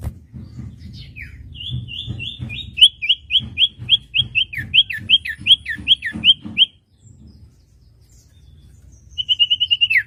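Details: Common iora master song for untrained young birds: a long string of around twenty crisp, hooked whistles at a steady quick pace, a brief pause, then a short fast trill.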